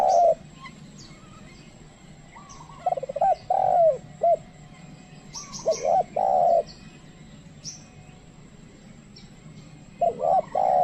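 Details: Trained spotted dove luring wild doves, which keep their distance. Low wavering coo phrases repeat at intervals, while small birds add high, quick chirps in the background.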